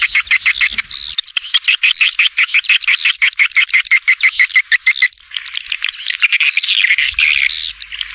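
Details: Swiftlet lure recording meant to attract edible-nest swiftlets to a bird house, stereo with supporting sounds left and right; rapid, evenly pulsed chirps about three per second, then a denser buzzing chatter toward the end.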